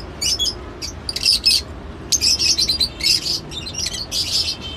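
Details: Lovebird calling in quick clusters of sharp, piercing chirps and twittering squeaks, bursts coming roughly every half second with brief pauses between, over a faint low background hum.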